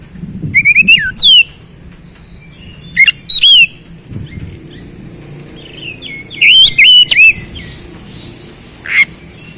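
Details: Oriental magpie-robin (kacer) in rapid gacor song: scattered bursts of bright, swooping whistled notes, a few per burst, spaced a couple of seconds apart over a low background hum.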